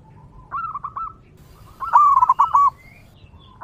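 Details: Wild zebra dove, its song used to attract other zebra doves: a short rolling coo phrase, a pause, then a louder trilled coo sequence of rapid staccato notes, with faint high bird calls in the background.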